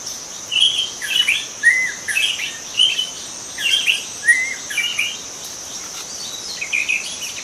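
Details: Wild juvenile white-rumped shama in forest repeating short warbled phrases about every half second, mixing clear whistles with rougher chattering notes, against a continuous shrill insect background.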